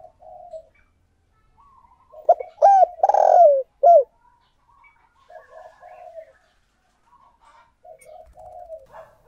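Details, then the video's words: Decoy spotted dove urging wild doves in with its call: one loud phrase of hoarse, bouncing coos built around a long drawn coo, while quieter coos from farther birds continue before and after. "Chim Cu Mồi Thúc Gù Gáy Gọi/ Tiếng Chim Cu Gáy Kích Bổi"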